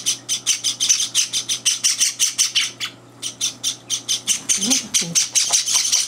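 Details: Java sparrow chicks begging at feeding time at home while older birds interfere: rapid scratchy high chirps in quick succession, a brief pause, then more, with a person's voice heard softly near the end.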